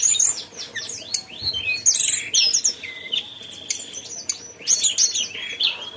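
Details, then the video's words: Mountain tailorbird song of sharp high chips and swooping whistles, broken by a longer level whistled note near the middle, then further bursts of rapid twitters. "tledekan gunung gacor ocehannya"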